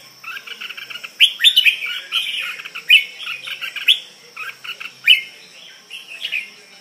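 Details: Red-whiskered bulbul, Suea Mek type, kept in a cage, giving lively sharp whistled and chattering phrases separated by short silences, a thin continuous tone audible throughout.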